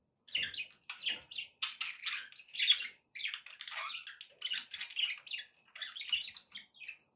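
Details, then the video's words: Pet budgerigars singing to keep a pet parrot company: steady, rapid chatter of buzzy, scratchy warbled notes in short bursts, almost without pause. "budgie sounds to encourage your parrot to eat and sing"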